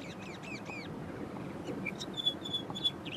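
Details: An eastern clapper lark sings from a low perch, mimicking other birds rather than its usual flight display whistle: three quick nasal, arching notes, then a run of short, sharp high whistles, over a steady low rumble.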